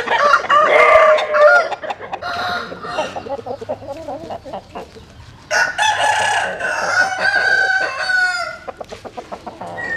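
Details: Roosters crowing at dawn as chickens sun themselves: one long, harsh crow opens, then murmured clucks, then a second drawn-out crow rising and holding before fading, with faint low humming throughout.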